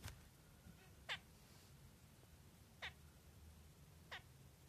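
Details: Zebra finch (Taeniopygia guttata), "Light black" variety, giving three short, nasal, trumpet-like beeps spaced one to two seconds apart.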